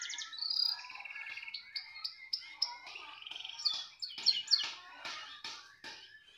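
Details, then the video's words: Canary song of quick trills and short repeated notes, then a run of sharp clicking chips spaced unevenly toward the end. "Kenari *SPECIAL*,, mau di taruh di mana saja tetap gacor,,,"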